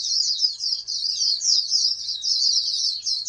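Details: Oriental white-eye bred as a contest prospect singing an unbroken, very high, rapid warbling twitter throughout.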